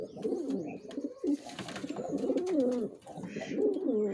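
A male pigeon coos in low, throaty rolling phrases that dip and rise, repeated several times with brief pauses, in a small indoor space.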